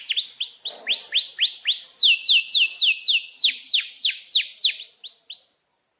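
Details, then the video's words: Canary singing loudly in a compilation meant to tutor young canaries and stalled singers: a fast series of clear downward-sweeping whistled notes, about four per second, high and ringing, stopping abruptly near the end. "Kenari GACOR PANJANG INI Cocok untuk Masteran KENARI PAUD dan Kenari Macet BUNYI"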